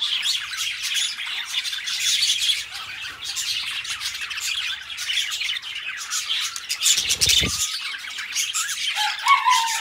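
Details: Two pet budgerigars, companion birds, chattering together in a continuous dense warble of scratchy squawks and chirps, busy and unbroken, with a brief low thump near the seventh second.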